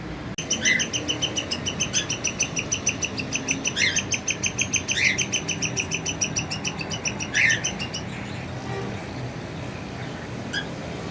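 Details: Cockatiel family at the cage, where the father feeds three young chicks: a fast, steady ticking chatter runs for about eight seconds, with four sharp, rising squawks set over it, then quieter calls near the end.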